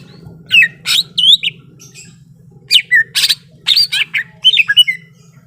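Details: Greater green leafbird ready to fight, singing clusters of loud buzzy chatter and bright rising whistles, with a pause mid-phrase and a steady background hum.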